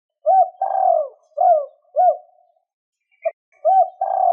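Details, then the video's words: Spotted dove using two-tail-note cooing to stir wild doves. A mellow hoot, a long descending coo and two short hoots follow one another, then a faint tick and the next phrase begins. "Tiếng chim cu 2 hậu gáy kích bổi nhanh nổi"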